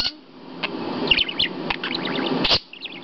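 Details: Pet budgerigar perched on its owner's hand, chattering away and said to be cursing with mimicked swearwords. The sound is dense, scratchy warbling with sharp clicks and high chirpy notes, followed by a brief pause and more chirps.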